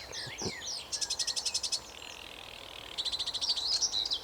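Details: Sedge Warbler singing from a tree on a local patch, its song scratchy, manic and fast: a few varied chattery notes, then a grating run of about eight rapid buzzy pulses, a pause, and another long pulsed rattle.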